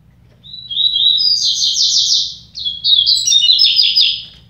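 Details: Two double-collared seedeaters in a song contest: two bright, fast, high twittering phrases. Each opens with a thin whistle, then runs into rapid warbled trills, with a brief break between the phrases.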